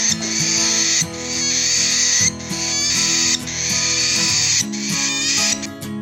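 A cockatiel gives harsh, raspy, hissing screeches in bursts of about a second, repeated with short breaks, over soft guitar music.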